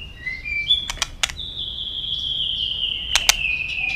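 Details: White-rumped shama singing to stimulate and train other shamas: short whistles lead into one long, sustained whistle that slowly falls in pitch, broken by several sharp, dry clicks.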